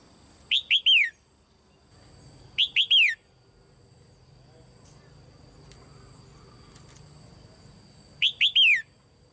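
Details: A female Red-whiskered bulbul kept in a cage calls to stimulate other birds to sing: three separate phrases of three rapid, bright whistled notes, each falling at the end, spaced several seconds apart, over a thin steady hum.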